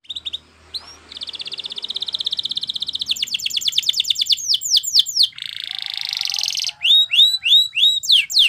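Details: Belgian canary used as a training singer: a long, steady rapid trill, then a faster descending series, a buzzy rolling passage, and slower upswept whistles at the end.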